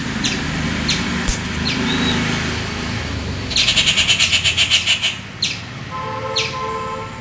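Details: Rufous treepie in its natural habitat giving one loud burst of raspy, rattling chatter of quick pulses over steady traffic and engine rumble, with faint clicks before and a tonal hum after.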